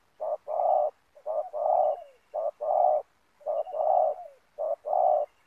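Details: Spotted dove used as a decoy on the ground beside racik snares to lure wild doves. It gives a mellow cooing phrase, a short note followed by a longer rolling coo, repeated five times at about one-second intervals.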